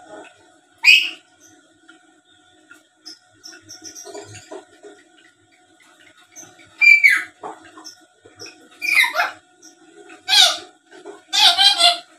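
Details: Black-capped lory, a tame bird that talks and chatters, recorded for luring other birds into answering. Scattered soft chatter gives way to loud, rasping squawks and a sliding whistle, with a faint steady hum behind.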